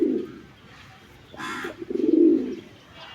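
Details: Pigeon at a pigeon coop giving two low, soft, rolling coos, one at the start and a longer, louder one about two seconds in. A brief rustling burst falls between them.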